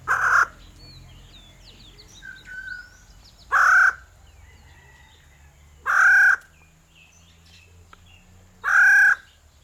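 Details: Bronze-tailed peacock-pheasants kept at a breeding center in Chiang Mai, Thailand: loud, flat, harmonic half-second call notes repeated about every two and a half seconds, with faint chirps of other birds and a low hum between them.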